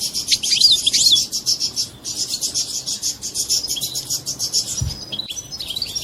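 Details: Mating song of a European goldfinch, the song said to make a female adopt mating posture: rapid, tinkling high twitters and buzzy notes in a steady stream, with brief dips in loudness and one short pause.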